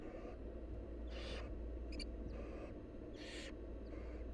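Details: Begging from wild barn owl nestlings while the mother brings food. Four rasping, snore-like hisses come in quick succession, with a brief faint click near the middle, all over a steady low hum.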